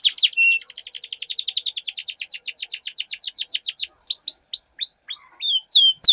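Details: Canary duel song used to coax a silent canary into rolling; a long fast trill of rapid repeated notes slowing gradually, followed by separate sweeping whistles and a sharp final note.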